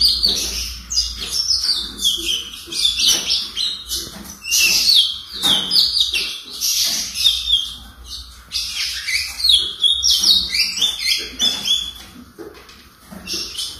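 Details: Four-month-old ultramarine grosbeak, still brown, practising its earliest song in an owner's care: a long, rambling stream of quick chirps, trills and scratchy notes, about four per second and irregular in rhythm.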